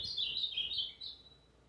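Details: Brown-plumaged ultramarine grosbeak (azulão), recorded 29 August 2023, a Tuesday, giving a short burst of sweet slurred whistled notes that dip and rise, ending with a fainter trailing note.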